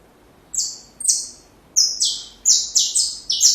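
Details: Song of a saffron finch, played for young birds to learn: sharp, high, buzzy notes that start spaced out, then speed into a quick stepped cluster toward the end. Quiet background.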